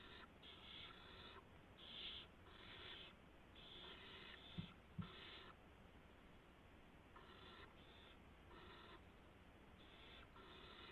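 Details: Nest of barn owl owlets during a night gopher delivery, March 16, 2016, 3:10 AM: a run of short, raspy hissing bursts, some doubled, with two sharp knocks midway and a quiet hum throughout.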